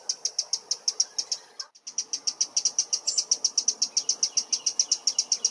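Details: A Eurasian wren in a London park gives its alarm call on spotting a potential enemy, a loud "teck teck teck": a fast, steady run of hard, dry, high ticks, about four or five a second, with one brief break.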